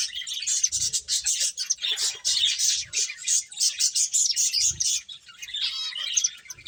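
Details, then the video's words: Eating finches keep up a busy, even chorus of high chirps and twittering, the calls overlapping densely, with a few soft low thuds. "Cute Birds Chirping Sounds | Beautiful Finches Eating"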